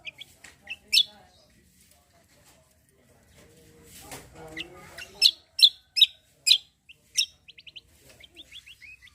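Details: Cucak kombo singing in full flow, used as a lure to provoke other birds to sing: sharp high whistled notes and quick rising chirp bursts, with a stretch of faint human voice in the middle.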